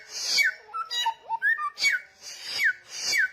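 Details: Persistent, loud samyong singing: a rasping falling whistle, then a few short low whistled notes and a rising slur, followed by three more hoarse downward-sweeping phrases.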